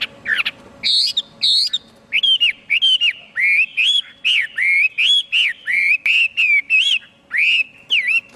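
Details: Chinese hwamei song: a few sharp rising and falling notes at first, then a long string of rich, looping whistled notes delivered about twice a second over a faint low hum.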